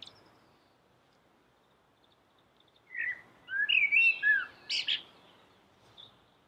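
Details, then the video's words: Common blackbird singing: after a quiet start, a mellow warbled phrase of fluty rising and falling notes, ending in a squeaky high twitter, then a faint final note. "suara merdu common black bird"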